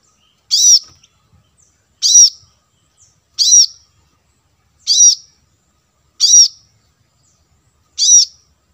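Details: Plain-throated sunbird calls used as lure audio to draw wild birds close: six sharp, high arched chips spaced roughly every one and a half seconds, clean with no other sounds.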